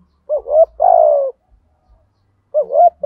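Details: Spotted dove in the thúc gù cooing of the giọng thổ style, used for luring birds. A rising-falling gù note and a long buzzy descending coo, then the gù note again, over faint low thumps.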